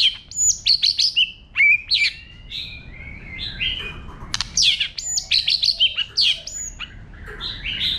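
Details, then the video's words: White-rumped shama singing its wild forest-type song to excite other birds: rapid series of high sweeping whistles and slurred notes, bursts of loud phrases separated by softer warbling, continuously varied. "chòe lửa hót giọng rừng kích bổi, kéo rê kích bổi căng lửa. chim chòe lửa hót hay"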